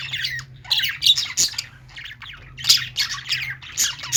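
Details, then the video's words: Caged budgerigars in a pet store giving rapid squawks and chattering bursts, several per second, harsh and scratchy with brief quieter stretches, above a low steady hum. "budgies singing | parakeet chirping sounds in pet store"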